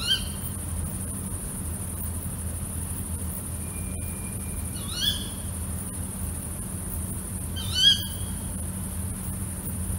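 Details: Female tawny owl calling at night: sharp, harmonic, slightly rising-then-falling shrieks, one at the start, then at about five and eight seconds, over a steady high hiss and low rumble.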